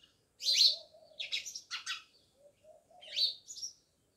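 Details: House sparrows chirping beside a village house in Jamnagar, giving a few loud, rasping chirps in quick succession, a pause, then two more bright chirps, with a faint low warble below.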